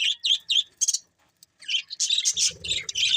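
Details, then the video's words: Budgerigars give a few quick separate chirps, fall silent briefly, then burst into rapid overlapping high chatter with a faint low rumble beneath. "Budgies Chirping Sounds"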